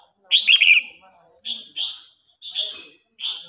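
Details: Red-whiskered bulbul singing in a contest, an old wild-caught bird pressing a young newly caught bird; a loud warbled whistled phrase, then short clear whistled notes repeated at roughly one-second gaps.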